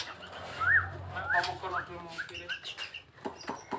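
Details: Nias hill myna kept as a pet bird, giving short clear whistles that swoop up and down, repeated about three times, with people talking nearby.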